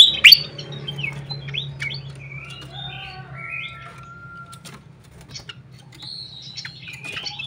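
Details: A fantail flycatcher lure call: a rapid mix of high chirps and short whistles, with one long steady whistle, over a low mechanical hum.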